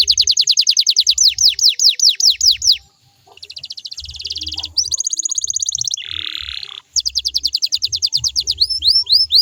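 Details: Canary singing, meant to prompt other canaries to answer: rapid descending whistled sweeps, a short gap, varied buzzy trills and a harsh grating note, then quick sweeps again ending in rising chips; soft low hum in background.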